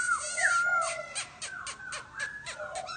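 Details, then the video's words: Rapid laughingthrush chatter: a loud slurred whistle followed by a string of quick chirps and swoops in close succession, with dense, noisy broadband notes between them. "Chim Khướu kêu ríu rít"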